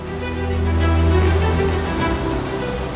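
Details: Only swelling background music with deep bass and layered sustained chords fills the recording, without any animal call.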